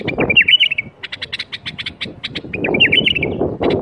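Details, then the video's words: Bulbul 'berwaz' song for getting reluctant bulbuls singing: two tumbling warbled phrases bracketing a run of rapid chip notes, with low background rumble. "أقوى برواز بلبل ممكن تسمعه لفتح البلابل القافله"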